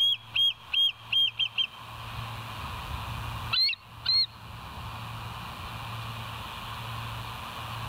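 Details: Bald Eagle at the West End nest, filmed by a live nature cam on 25 September 2023 at 7:00 in the morning: six high, thin piping notes in a quick series, a short pause, then two louder piercing notes, over a low steady hum.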